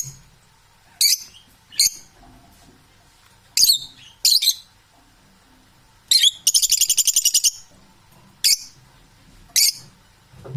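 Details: Parrots giving short, high, scratchy calls, broken midway by a long, fast, rattling chatter of evenly spaced pulses lasting over a second.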